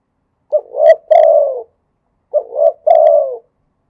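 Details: Spotted dove song in the khat and nun styles: two throaty three-note cooing phrases. Each has a brief opening note, a swelling middle coo and a drawn-out falling final coo, separated by a pause of under a second.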